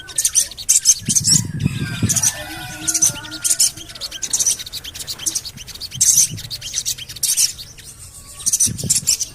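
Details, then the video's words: Lure recording of Javan cochoa calls meant to set birds singing: piercing high 'cuit' notes in quick bursts, over faint wavering whistles and brief low thumps. "CUIT...CUIT...CUIT PANGGILAN SOGON AGAR BUNYI"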